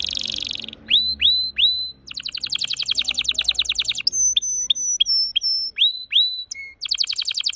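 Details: Red factor canary in very fast song: a buzzy burst, rising swept whistles, long rapid rattling trills, a high steady whistle with chip notes, then more rising sweeps and another quick trill.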